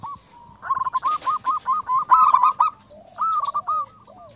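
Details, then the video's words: A zebra dove gives its cooing song, used as a lure call to prompt other doves to coo: a fast run of soft staccato coos breaking into rolling, bubbling coos, with an otherwise quiet setting. "Perkutut Manggung"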